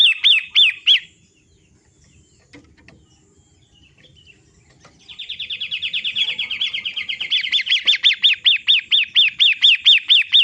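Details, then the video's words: Long-tailed shrike (pentet matahari) recording used to coax caged birds into song: a few loud arched notes, a pause with faint clicks, then a rising buzzy chatter that turns into a regular series of strong repeated notes. "Master Terapi PENTET matahari bikin bunyi"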